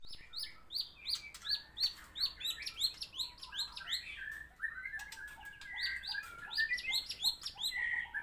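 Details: White-rumped shama singing vigorously after moulting: a dense, fast run of sharp rising whistles, chips and buzzy notes, with a sustained whistle near the end.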